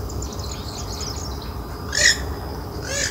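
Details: A wild Western swamphen gives a brief harsh, nasal squawk, then a shorter rasping note, over faint high chirping from other birds and a low background rumble. Finding: Purple swamphen.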